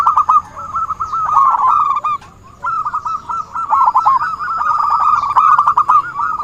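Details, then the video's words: Zebra dove lure call for trapping birds: dense, fast stuttering coos at a steady pitch, nearly continuous, broken only by a short quiet gap after two seconds before resuming strongly. "suara burung perkutut buat pancingan || suara pikat perkutut"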